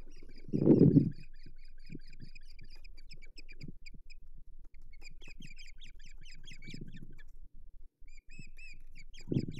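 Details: Osprey at the Hog Island nest on 8 May 2023, around a failed fish delivery: faint, thin chirps repeated in quick rapid series through the recording, with low thumps and rustling bursts at the nest.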